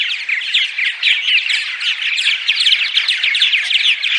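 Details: Daytime purple martin chatter: many birds at once, dense rapid chirping and croaky gurgles forming a constant bubbling chorus.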